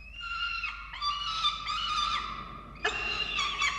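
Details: Falcons at a nest in Orange, Australia, during a chick feeding on 13 November 2022. Harmonic, wailing calls come in drawn-out phrases with bending pitch, separated by a short pause, over faint background hiss.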